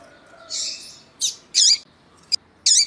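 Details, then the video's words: A male and female Double-collared seedeater call with high, buzzy chirps in short bursts, about five in three seconds, over a faint low hum; the recording is used to stimulate other male seedeaters. "COLEIRO TUÍ-TUÍ E FÊMEA CHAMANDO PARA ESQUENTAR COLEIRO TUÍ-TUÍ"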